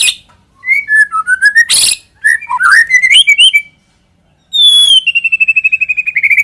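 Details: White-rumped shama lure song with sliding whistled phrases, a loud broadband burst, and a long high whistle descending into a fast pulsed trill.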